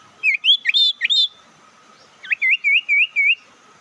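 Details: Lure call of a sirtu, played to provoke opposing birds: a few sharp rising-falling whistled chirps, a pause, then five evenly repeated short looping whistles, steady high hum underneath.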